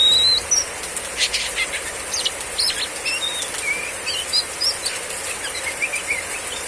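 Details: Female Oriental magpie-robin, riwik ngeplong style, in heavy rain: scattered short high chirps and whistled slurs, some buzzy, coming in quick bursts over a constant rain hiss with sharp drop impacts.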